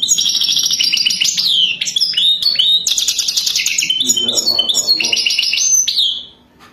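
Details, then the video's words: European goldfinch song in the Wadani style, given for mating: a rapid, unbroken high twittering of liquid trills, buzzy rattles and quick sweeping whistles lasting about six seconds before fading, with faint low rumble beneath. "تغريد حسون وداني"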